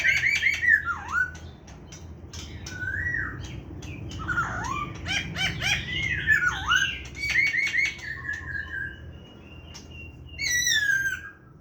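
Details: Wild-style song ('giọng rừng') of a 'hàm rồng' laughingthrush, dated 29/9/2023: rich swooping whistles that dip and rise, mixed with rapid clicking notes and a bright high trill near the end, over a steady low hum.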